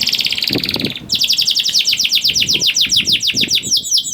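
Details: Young canary prompting song for reluctant singers: a buzzy fast trill, then a steady rhythmic series of sharp high notes at about four per second, ending in quick slurred whistles.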